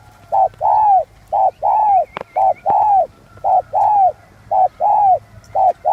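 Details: Spotted dove in the 'giọng son' song style, repeated short-long coo pairs at an even pace, with a couple of sharp clicks and faint wavy high bird notes in the background.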